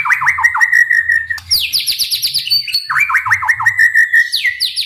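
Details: White-rumped shama, full-voiced song used to goad other shamas into singing: rolling whistled trills falling onto a sustained note, a burst of rapid high notes, then the trilled phrase repeats.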